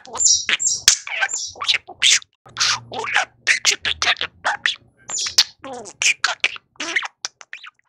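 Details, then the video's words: Male household budgerigar talking to himself while wooing his football, with a rapid run of short, scratchy, high-pitched spoken syllables and chirps broken by brief pauses. "Self-Wooing Li'l Babi the Talking Bird"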